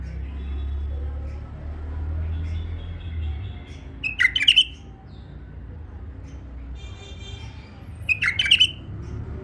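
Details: A tame male bulbul gives two brief, rich warbled phrases about four seconds apart, each a quick tumbling of liquid notes, with low room hum between.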